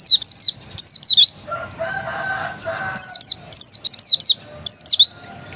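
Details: Dakun Oriental white-eye, untrained, producing high, sweeping chirp bursts, with a brief lower, softer sound in the middle between phrases before the shrill twitters return.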